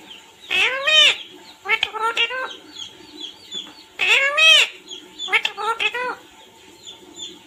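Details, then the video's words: Parrot chirping and calling "mummy papa": two groups of arched, harmonic voice-like calls, each a longer note followed by quick shorter ones, set against a steady faint background hum. "Natural Parrot sound//Parrot chirping sound,// mummy papa calling sound"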